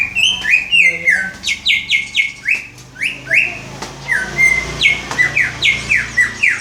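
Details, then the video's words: Greater green leafbird practising the "Om Telolet Om" horn melody, a rapid run of clear whistled notes, each starting high and dropping a step, repeated about three to four per second with small gaps between phrases. "Cucak ijo belajar berkicau "Om Telolet Om""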